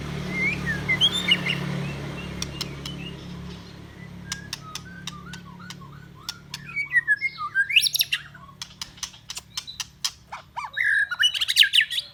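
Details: White-rumped shama song used for training other songbirds: varied whistled phrases mixed with sharp clicking ticks and rising and falling slurred notes, quiet early then louder busy bursts later, over a steady low hum.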